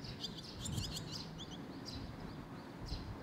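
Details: Young barn swallows waiting for food, recorded in Sendai, June 2021: a rapid flurry of high, twittering chirps at the start, then a few isolated thin notes over low background hum.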